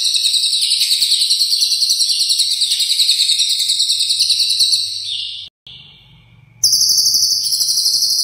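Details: Ngekek song of a lovebird with long Cililin fill, a training master for contest birds: a sustained shrill, fast chattering trill for about five seconds, a sudden break with faint low hum, then the trill resumes.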